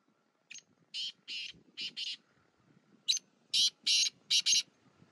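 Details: Black francolin, a Sheedi Chinga cross, calling in a village setting: harsh, grating, buzzy bursts given in two spaced series of four to five notes.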